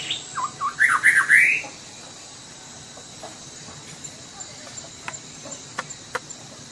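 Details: Sumatran white-rumped shama delivering one fast, tumbling phrase of clear rising whistles and bright high notes for under two seconds, followed by near silence with scattered faint clicks and ticks over a soft background hiss.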